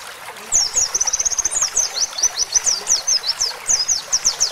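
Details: Oriental white-eye in roll tembak style with canary fill-ins, used to train songbirds: after a short pause, a fast, high, rattling trill breaks into a string of sharp, sweeping whistled notes repeated at a steady, rapid pace.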